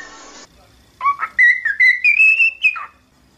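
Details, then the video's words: After a brief burst of noise, a cockatiel whistles a training tune: a chain of notes gliding steadily upward in pitch, then one lower falling note. "Aprenda Como Ensinar a Calopsita a Cantar"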